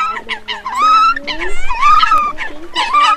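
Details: Coot lure recording for nocturnal net trapping in the August 2023 migration season: loud, buzzy honks and rising nasal notes, densely overlapping and repeated in short runs, with a slightly boxy, close, amplified quality.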